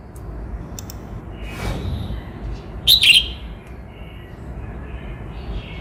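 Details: Single loud, tumbling whistled phrase from a Cao Bằng red-whiskered bulbul, Vietnam, preceded and followed by soft distant chirps and a background hum.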